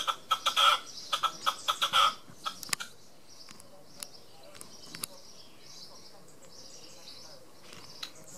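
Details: Red-legged partridge displaying on a wall in Tresco Abbey Gardens, Isles of Scilly: a quick burst of harsh, rhythmic chuffing notes for about two seconds, then quiet apart from a few scattered clicks.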